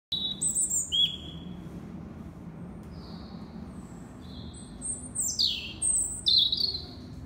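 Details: European robin singing its winter song at sunset at Kew Gardens greenhouse: thin, high whistled phrases, some sliding down, in short bursts separated by pauses, over a low steady background hum.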